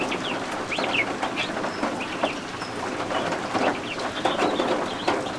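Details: Freshly hatched guinea fowl keets peep indoors beneath a heat lamp. Bright, piercing, rising-and-falling chirps come in quick groups, set against steady rain falling outside.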